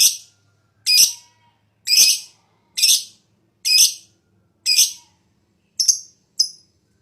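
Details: High-breeding-condition fighter lovebird, ngekek lure song for prompting quiet birds to sing: harsh, scratchy high notes repeated about once a second, the last two shorter and thinner.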